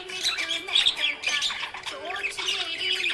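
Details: Happy budgerigars giving dense, scratchy chirps and squawky warbles in quick overlapping bursts, with brief twittering notes and a faint steady tone underneath.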